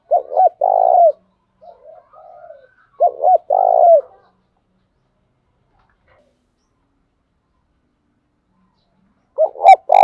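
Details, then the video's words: Decoy spotted dove cooing to lure wild doves into calling back. Three low, mellow coo phrases, each a quick note and then longer rolling coos, separated by several seconds of silence. The last phrase is cut short at the end. "tiếng cu gáy mồi chuẩn anh em mà mở lên là cu mồi và bổi gáy theo cả ngày"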